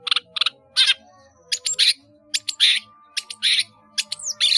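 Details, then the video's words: Caged long-tailed shrike in full, busy song packed with many mimicked fill phrases, used for training caged birds: harsh, buzzy bursts alternating with short chattering notes in irregular clusters, quiet gaps between phrases. "CENDET GACOR ISIAN BANYAK"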